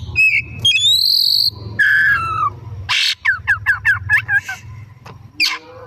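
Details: Oriental magpie-robin singing actively in the afternoon for lure use: mixed high whistles and descending slurs, then a fast series of short chipping notes and a final burst, over a faint low hum.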